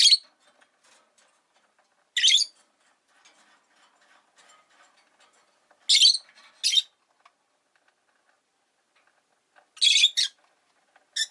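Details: Caged rosy-faced lovebirds indoors near a window in winter, giving harsh, hissy high squawks in short bursts and pairs every few seconds, with faint low rustling and murmur between.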